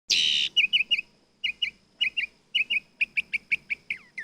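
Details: Nightingale singing: a loud harsh burst opens, then bright clipped notes repeated in short clusters of two or three, speeding into a rapid string of sharp notes that ends in falling whistled slurs.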